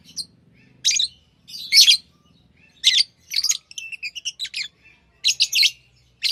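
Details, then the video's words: Shrill, buzzy chirps from pet lovebirds arrive in short clusters separated by brief pauses, with a faint low murmur at the start. "Love birds Sounds | lovebirds chirping sounds"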